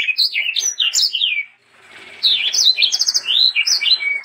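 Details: Sanger bird song for tutoring young sanger birds: a burst of fast, bright whistled slurs, a short lull, then another lively phrase with buzzy trills and swooping notes.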